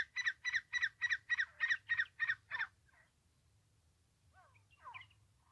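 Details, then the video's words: Francolin (teetar) call used in francolin trapping: a fast run of about ten harsh, raspy notes that slows and fades. Quieter twittering chirps from other birds follow after a short pause. "francolin trapping. teetar ka shikar. teetar voice. francolin voice"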